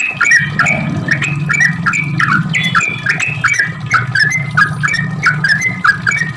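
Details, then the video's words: Sooty-headed bulbul giving its long 'ropel' lure song to get other bulbuls calling back: repeated loud chirpy whistled phrases, with a low droning hum running underneath. "Trucuk gacor ROPEL panjang buat pancingan trucuk agar bunyi"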